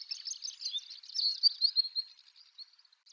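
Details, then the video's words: Long-tailed rosefinch singing in the early morning at Wakka Primeval Flower Garden, Hokkaido, Japan: a rapid, continuous twittering warble of high thin notes, rising in loudness midway then trailing off into scattered chirps. "ベニマシコ（2）地鳴きとさえずり - Long-tailed Rosefinch"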